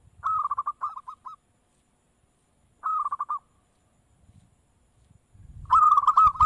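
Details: Local zebra dove (perkutut) calling in bursts of quick, hooked cooing notes run together into a bubbling trill. Two phrases are separated by a pause, then a louder, fuller phrase follows. Low thumping noises sit underneath.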